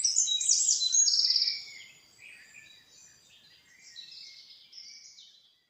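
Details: Nightingale in a forest, a loud burst of rich, rapid whistled and trilled notes for about a second and a half, then much fainter, more distant-sounding warbled phrases continuing quietly to the end.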